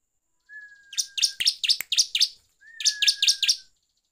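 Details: Bar-winged prinia lure song in 'gacor ngeplong' style, used to provoke other birds: a rapid string of sharp, high chirps, then a short second burst, each riding over a faint level whistle-like tone.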